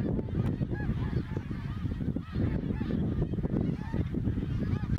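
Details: Greater snow geese on autumn migration past Ottawa, Canada, in 2021, hundreds of thousands overhead; distinct short, arched honks repeat rapidly from many birds, over a dense low rumbling background.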